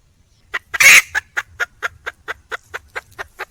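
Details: Wild red junglefowl hen calling for a male: a series of short, sharp clucks about every quarter second, with one loud harsh squawk near the start.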